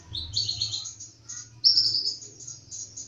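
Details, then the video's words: Bird singing energetically with bright, high buzzy trills and a sudden loud whistled burst midway, over faint low background hum. "KONIN DACOK GACOR"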